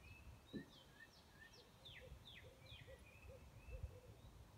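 An owl gives a quiet run of short, low hoots, about three per second, while other birds add thin, high, falling chirps over a low rumble.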